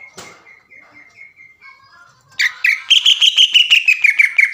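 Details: Greater green leafbird in full song, a long chattering 'sewing machine' burst used to provoke other leafbirds: soft thin whistled notes, then a loud rapid series of sharp, repeated high notes, about three per second, descending slightly.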